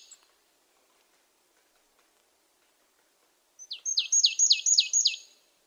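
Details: Marsh tit calling: after about three and a half seconds of near silence, a quick run of six sharp, high notes, each sweeping steeply downward, delivered at a steady clip of roughly five per second, then quiet again.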